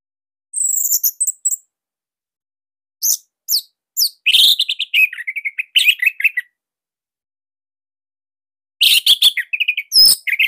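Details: Orange-headed thrush of the Bali type in a loud master song used to coax other thrushes into singing: high thin notes, then chattering runs of slurred whistles and buzzy chips in separated phrases.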